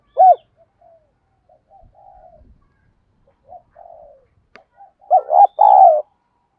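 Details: Caged decoy spotted dove in Vietnam giving driven 'thúc gù' cooing to lure wild doves: a loud low coo, scattered soft quieter coos, then a closing burst of two-part throaty coos, in otherwise quiet surroundings.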